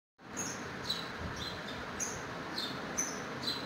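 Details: House sparrow chirping in a window, giving short, high chirps about every half second over a steady background hiss.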